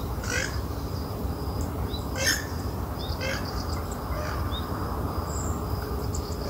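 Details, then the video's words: Western swamphen in the wild giving short, coarse, scratchy calls spaced irregularly, several fainter ones after a louder burst, with a continuous thin high whine and low background rumble throughout. "Bird Song Western Swamphen Bird (Porphyrio porphyrio) Wild Gacor di Alam Bebas"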